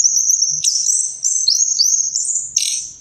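Orange-headed thrush pouring out a high, continuous warbling song of quick slurred and rising notes, with sharp breaks between phrases.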